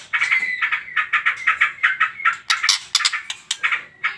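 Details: Shama lure song in trotol style, used to make other birds sing: an even train of quick chattering pulses about five a second, becoming sharper and louder toward the end.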